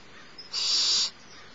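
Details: Single rasping hiss of about half a second from the smallest barn owl owlet being fed by its mother at Starr Ranch, morning of 6 March 2011.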